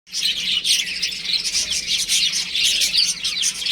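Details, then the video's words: Baby chickens playing at home, a dense chorus of high, thin peeps overlapping continuously with no pauses, several chicks calling at once. "Cute Baby Chicken Chirping Sounds | Beautiful Chicks Playing @ Home"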